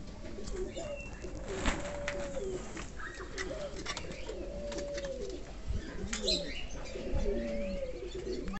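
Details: Several King pigeons, a domestic pigeon breed, cooing in low, arching, drawn-out phrases that overlap and repeat every second or two, over a steady background hiss and occasional clicks.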